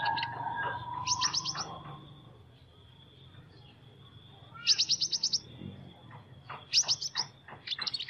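A sunbird sings bursts of fast, very high, thin chipping trills, each about half a second long, several times in eight seconds over a steady faint high whine.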